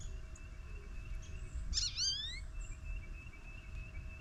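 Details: Goldfinch visiting a feeder on a snowy morning. One short burst of bright, slurred, rising notes around the middle, with a faint steady whistled tone before and after it and a soft low rumble.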